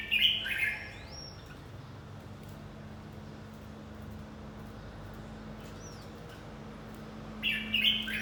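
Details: Red-whiskered bulbul in fight training: a short burst of bright, warbled notes opens the recording, a long quiet stretch with steady low hum follows, and a similar chirpy phrase returns at the end.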